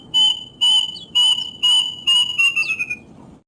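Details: Plaintive cuckoo, whose call folklore ties to death, sounding a run of loud whistled notes that come faster and shorter toward the end and slide downward, over low steady background noise.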